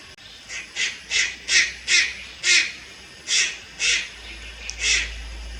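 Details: Juvenile Malayan night heron recorded at Lugu on 30 July 2022, giving about ten harsh, raspy, hissing bursts roughly every half second, with a short pause midway; steady background hum.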